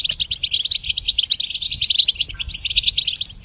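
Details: Training recording of goldfinch song: high, sparkling chirps strung into quick rhythmic twittering, lively and continuous throughout.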